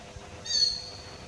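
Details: Common hill myna giving a single short, shrill high whistle that swells and fades within a fraction of a second over a low background hum.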